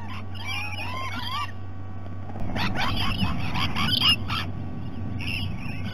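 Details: Rainbow lorikeets at breakfast time in Sydney Olympic Park, Australia, 2018: a rapid run of harsh, rasping screeches packed closely together in the second half, after softer chattering notes, over a constant low hum.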